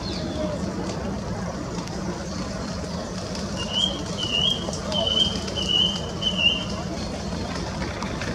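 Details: Song thrush singing in the Flower Walk, where two pairs defend their territories with song: a clear whistled phrase repeated about five times in quick succession, over steady low background rumble and faint voices.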